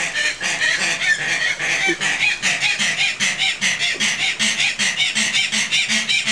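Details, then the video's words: Tasmanian native hens, flightless birds, giving very loud screaming calls at dusk in a Tasmanian wildlife park: a fast steady series of harsh grating, sawing notes, over two per second, from several birds together. "Tasmanian Native Hens Screaming"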